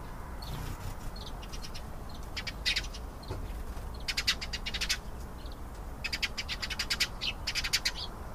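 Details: Singing canary delivering fast, rattling trills of evenly repeated notes in separate bursts, with short chirps between them over a steady low background noise.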